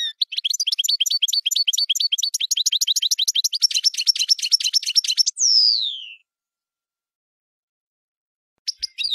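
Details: European goldfinch song: fast, tinkling high twitters and trills for five seconds, ending in a long, sliding whistle that falls in pitch, then silence and a few final twitters.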